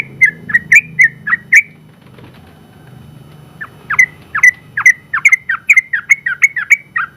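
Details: Champion Sooty-headed bulbul from an open-class contest singing in long 'ropel' style: a handful of clear whistled notes, over a second of quiet, then a tightly packed series of ringing, down-slurred whistles.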